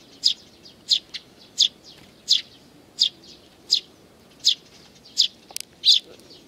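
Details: Sparrows with nestlings, including a balding adult, on 8 May 2019: a steady series of high, sharp chirps about every 0.7 seconds, nine in all, with softer chirps between some of them and a brief click near the end.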